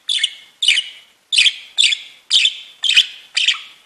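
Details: Budgerigars chirping cheerfully: a quick run of bright, slightly harsh chirps, roughly two per second, with a faint whistled tone underneath.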